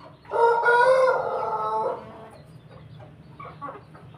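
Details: Rooster among pelung, Bangkok and ketawa chicken breeds gives one sustained, full-throated crow lasting under two seconds, steady in pitch with a slight fall at the end, followed by quiet low rumbling and faint distant calls.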